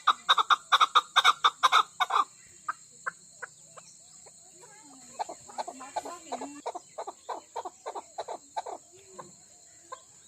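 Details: Female chukar partridge opening with a fast burst of loud clucks, followed by quieter, scattered chuck notes and faint squeaky sounds. A steady high-pitched whine runs throughout.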